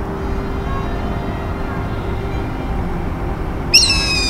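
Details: Red-tailed hawk in a garden by the Smithsonian American History Museum, National Mall, Washington D.C., in humid summer: steady city traffic and wind, then one sudden hoarse, high, downslurred scream cutting through the noise.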